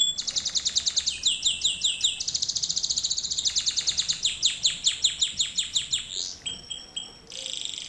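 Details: Canary singing as a teaching lesson for other canaries: long trains of rapid repeated notes shifting in speed, slow swooping phrases near the end, and a brief clear whistle before a final fast roll.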